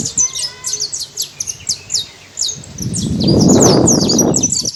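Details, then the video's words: Free-ranging saffron finch chirping in nature, quick high chips repeated almost three a second; a brief low humming tone opens, and loud low rumbling noise takes over toward the end. "Canário da terra livre na natureza"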